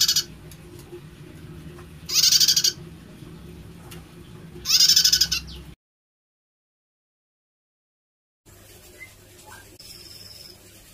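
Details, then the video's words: Prinia with an unusual voice: two loud, harsh, buzzy bursts about two and a half seconds apart, each rapidly pulsed and lasting about half a second, then a silent gap and faint background noise with a thin whistle. "Prenjak Suaranya Unik"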